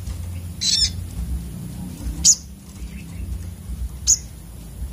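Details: High, thin sunbird (sogok otong) chips: a short scratchy twittering burst, then two clipped, piercing notes about two seconds apart, with low rumbling background noise.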